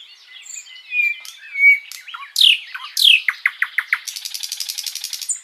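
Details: Tutor recording of a sikatan londo flycatcher in long, lively song: warbled whistles and slurred notes, then rapid descending chips leading into a steady buzzy trill.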